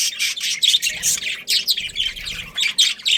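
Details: Budgerigar breeding pair chattering in quick, harsh, buzzy chirps, grouped into rapid bursts that pulse roughly every quarter second with brief softer gaps between.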